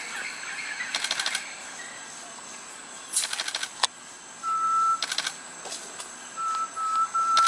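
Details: Great tinamou out in the open at OTS La Selva in April 2016, giving long, pure, level whistles near the end over a steady high insect drone, with scattered rattling bursts and a sharp click.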